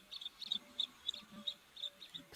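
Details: A faint African grey hornbill calls in the background at the Juma waterhole, Africa, on 15 September 2024, giving thin, high whistled piping notes about three a second over a soft low murmur.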